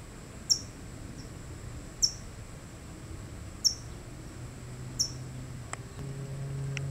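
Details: California towhee (Melozone crissalis) guarding a chick gives sharp, high, metallic chip notes, about one every one and a half seconds, over a low rumble of background noise.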